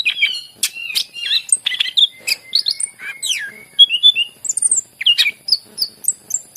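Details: Song of a greater green leafbird used to encourage silent leafbirds to sing: dense run of slurred whistles, buzzy chips and rising-falling notes without pause.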